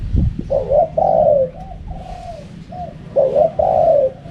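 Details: Two strong husky coo phrases from a spotted dove in wild 'karam pa' style, each a short note then a longer rolling coo, with softer, fainter coos trailing between them.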